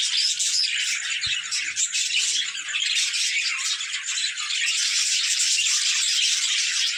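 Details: Budgerigars at play fill the air with a continuous, rattly chorus of high chirps and warbling chatter, densely overlapping and sustained to the end.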